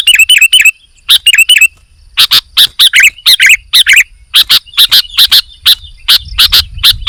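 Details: Sooty-headed bulbul in lively song: an opening burst of quick doubled chirps, then a loud run of sharp, clipped high notes spaced about a quarter second apart, grouped in short bursts with brief pauses between them, over quiet background.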